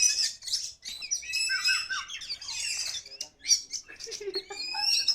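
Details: Kacer poci, an Oriental magpie-robin, singing lively after release: a rich, varied run of high whistles, chattering trills and sweeping notes, delivered almost without pause.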